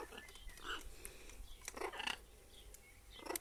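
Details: A parrot that is bathing gives three short, harsh, nasal squawks about a second apart, with faint background noise.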